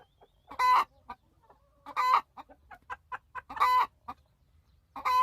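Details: Hen complaining that her nest has been taken, giving loud harsh drawn-out screeches roughly every one to two seconds, with soft low clucks in between.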